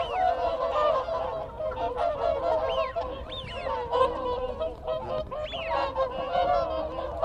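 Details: Whooper swans giving contact calls as a group, a thick layer of overlapping honks. Wigeon whistles rise and fall repeatedly above it, and Canada geese call in the background.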